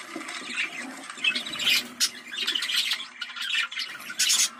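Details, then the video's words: Budgerigar sound played to excite birds and stimulate mating; dense, busy chirping and squawking warble, with bright high notes rising and falling in bursts and no clear pauses. "Muhabbet Kuşu Kızıştırma Çiftleştirme Sesi"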